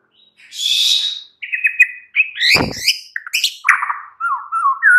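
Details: Afternoon provoking song of a white-rumped shama: a loud hissing burst, a wavering trilled whistle, crackling clicks and rattles, then slurred lower whistles ending on a sharp rising note.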